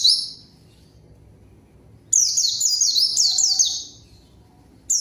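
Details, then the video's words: Zosterops (pleci) song used as a lure to call a rival and make silent birds sing: a bright high trill at the start, then a two-second run of rapid, descending, repeated chirping notes after a pause. "PANCINGAN PLECI GACOR MANGGIL LAWAN COCOK UNTUK PLECI DIAM AGAR CEPAT BUNYI DAN GACOR"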